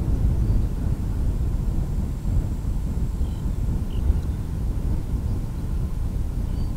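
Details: Loud, continuous low rumble of an engine or passing aircraft dominates outdoors, with no clear calls.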